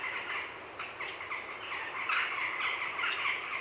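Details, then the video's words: Afternoon heronry of grey herons, recorded close: dense, scratchy chattering repeated about four times a second, with a high thin blue tit note and jackdaws in the background. "Grey Heron. Heronry Calls CU In Afternoon"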